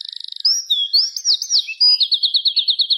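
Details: Birds chirping in the afternoon at dusk: a rapid ticking burst, then high, clear whistled slurs rising and falling, ending in a fast, even series of bright repeated chirps.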